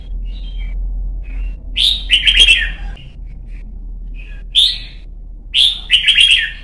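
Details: Young captive red-whiskered bulbul in voice training for competition singing in Vietnam: loud bright whistled phrases, slurred descending notes, in bursts separated by short pauses, with a low hum underneath.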